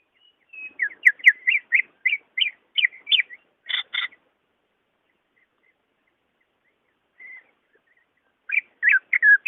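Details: Greater green leafbird singing, offered to prompt leafbirds reluctant to sing: a rhythmic run of whistled, bouncing notes, two sharper chirps, a long pause, then a renewed burst of warbled whistles.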